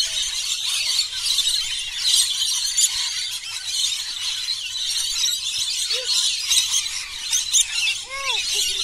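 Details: A large flock of 100+ lorikeets gathered for daily feeding at a bungalow park on Burrill Lake, Ulladulla, South Coast of NSW, fills the air with constant shrill, harsh screeching and chattering; a few lower squealing notes rise and fall near the end.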